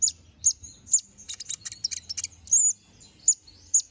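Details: A canary's lively 'gacor ngobra' song, suited for tutoring murai: a few sharp high chirps, then a fast rattled cluster of notes, one drawn-out whistled note and more spaced chirps.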